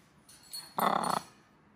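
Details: Charley, a female macaw, gives one short, harsh, throaty growl lasting under half a second, rattling with rapid pulses, after a few faint clicks, while eating an almond.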